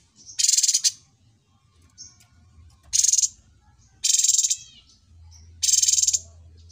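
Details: Cucak cungkok, a well-mastered songbird, delivers four loud, harsh, rapidly pulsed rattles within seven seconds, separated by short high whistles and chips.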